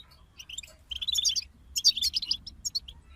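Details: Brief goldfinch song from a group: a few thin chirps, then two quick bursts of bright, ringing twittering notes, followed by isolated chips.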